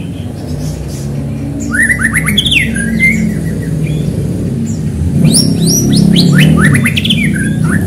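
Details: White-rumped shama singing energetically to stir other shamas into song: bursts of rapid, varied whistled and chattering phrases with rising and falling notes, separated by a pause, over a steady low hum.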